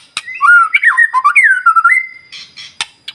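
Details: White-rumped shama song used to provoke other birds into singing in the morning: loud, fluid whistled phrases sliding up and down, ending on a sustained level note, followed by sharp clicks.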